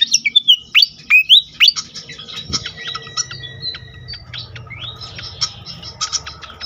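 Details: Pied fantail lure song meant to set other fantails singing: a run of loud clear whistled slurs, rising and falling, over the first two seconds, then quieter scattered chips and thin sustained tones over a low hum.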